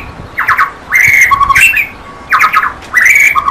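White-rumped shama giving four bursts of harsh, nasal, chattering notes about a second apart. The notes step between mid and higher pitches, with no other sounds.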